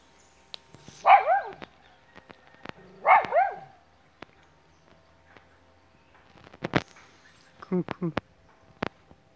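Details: Lesson's motmot (blue-crowned motmot, locally "Cuscús") in Chiriquí, Panama, on 29 May 2020, gives two hollow, hooting calls about two seconds apart, each rising then falling, followed by scattered clicks and taps.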